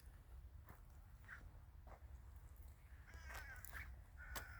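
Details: Several short, distant crow calls in a wintry village, sparse at first and then clustered in quick harsh notes toward the end, with clicks and a low continuous rumble.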